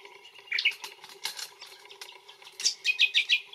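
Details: Brown honeyeater (Lichmera indistincta) in Australia: brief chirps early, then a fast run of bright sharp repeated notes toward the end, with light rustling between.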